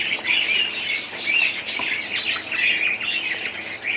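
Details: Dense budgerigar babble, many rapid squeaky chirps and twittering whistles running over one another continuously for a few seconds.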